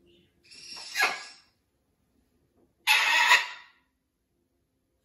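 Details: Blue-and-gold macaw at a parrot rescue sanctuary, adapting to a new flock; two drawn-out, harsh, raspy squawks about two seconds apart.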